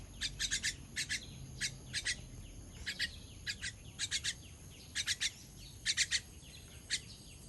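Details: Young bird calling during feeding, 18.06.23: clusters of two or three bright, sharp chirps recurring every second or so over faint background hiss.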